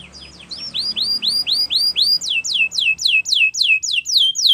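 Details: Spanish Timbrado canary singing a training song: clear rising-falling whistled notes repeated about three to four per second, shifting midway into faster downward-sweeping notes, with faint low background hum.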